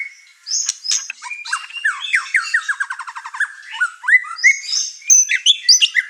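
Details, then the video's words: White-rumped shama in an over-emotional singing bout that sets off the house's other birds. A dense, varied medley of whistles, slurs and a rapid trill sequence runs continuously. "Murai Batu Over Emosi Bongkar materi Malah bikin ngamuk burung serumah"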